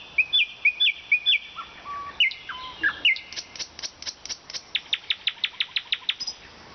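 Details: Nightingale song in Vologda, Russia, opening with repeated rising whistles and long flat tones, then a swift string of sharp, high, evenly repeated notes.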